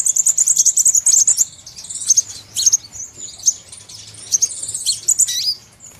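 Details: Trapping lure of a crimson sunbird: opens with a rapid, high, pulsing trill lasting over a second, then scattered thin chirps and a descending slurred note.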